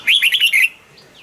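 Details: Caged red-whiskered bulbul's quick, loud phrase of five bright, warbled whistles running together in under a second, followed by a faint upslurred call from another bird.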